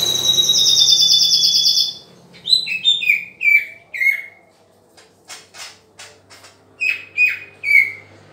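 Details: Green leafbird song during pairing: a sustained high buzzy trill, then a series of clear downslurred whistled notes repeated about every half second, short sharp chips, and three more descending whistles to close.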